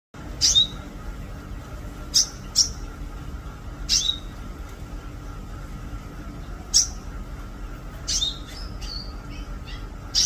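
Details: Oriental magpie-robin of the variety called king konin: short, sharp high chirps given singly at irregular intervals of one to three seconds, a few in quick pairs, over a steady low hum.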